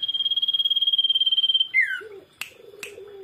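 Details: Common iora song used as a lure for other birds: a long, even trilled whistle of rapid pulses held for over a second, then a sharp descending slurred note, with low cooing from a dove in the background.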